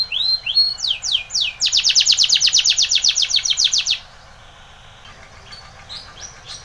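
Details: Spanish Timbrado canary training song: a few rising sweeps, then a long, loud, regular metallic rattle of about twenty pulses, fading to quiet soft notes.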